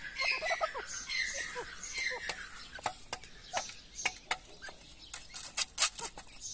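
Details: Mother grey partridge with her chicks, feeding them live food; soft, short downward-slurred clucking notes in quick irregular bursts, mixed with sharp clicking and pecking sounds and some faint high background hiss.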